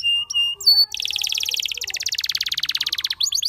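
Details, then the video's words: Spanish Timbrado canary begins with a few flat metallic tones, then delivers a long, rapid rattling trill of evenly repeated notes, closing with several quick sweeping chips. "Spectacular Spanish Timbrado Canary, This Canary Invites All Birds to Sing"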